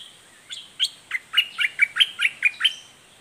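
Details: Red-whiskered bulbul from southern Thailand giving its doubled, fierce song: about ten bright, slurred chirps in a bouncy, evenly spaced series, each with a downward flick.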